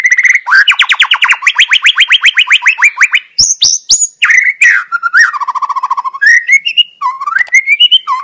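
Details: Wild white-rumped shama singing energetically: a fast run of rapid, even notes near one pitch, then sharp high whistles, a falling slurred phrase and rising whistled notes in quick, varied succession.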